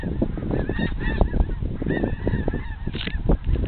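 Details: Geese in a huge passing flock over a riverside park near Bonner Springs, Kansas, late February 2010. Repeated honking calls from many birds overlap continuously over strong low-pitched wind noise.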